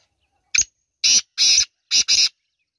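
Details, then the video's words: A black francolin gives a loud, harsh, grating phrase of five notes, a short clipped opener then four rasping notes in two pairs, over a quiet background. "Kala Teetar ki awaz | Black partridge Voice"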